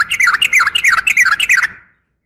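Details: Loud female yellow-vented bulbul call for the male, a steady two-second string of about a dozen quick, slurred chattering notes rising and dropping, ending abruptly.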